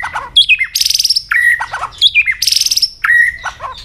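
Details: White-rumped shama singing a fighting song meant to rouse a rival: sharp clicks and rapid buzzy trills at high pitch alternating with steady whistled notes, phrases repeating roughly every second and a half.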